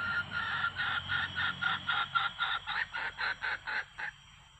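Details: Wild red junglefowl with yellow plumage, a cock that arrived together with a hen, lured with a decoy. A steady run of about fourteen short clucks, roughly three per second, then a quiet tail.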